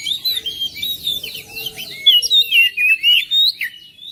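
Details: Song of an oriental magpie-robin, meant to stir a reluctant magpie-robin into song around the house. Rapid slurred whistles and chips at first, then a clear series of loud, evenly spaced whistled notes.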